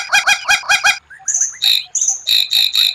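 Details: White-rumped shama song, an unusual rare phrase for training: five harsh stuttered notes, a pause with faint whistles, then high piercing whistles and loud ringing repeated notes.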